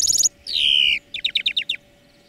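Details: Greenfinch song for training birds in three parts: a high rapid trill, a sustained nasal buzzy note gently falling, then a row of seven crisp downslurred notes spaced evenly, ending abruptly.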